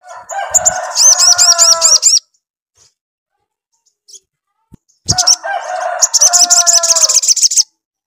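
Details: Sogon singing vigorously as a lure to make another sogon answer: two long bursts of rapid high arched notes laid over a lower, rich, buzzy warble, separated by nearly three seconds of quiet.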